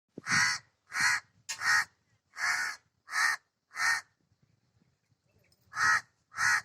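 A crow gives harsh, hoarse caws, eight in all, in two runs with a brief pause between. Nothing else is heard.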